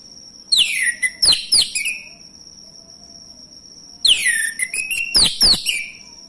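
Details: Male orange-headed thrush song used to provoke other birds to sing: two rich bursts of rapid, sharply slurred whistles and chirps, each about 1.5 seconds long and about 3.5 seconds apart, with a steady high background drone.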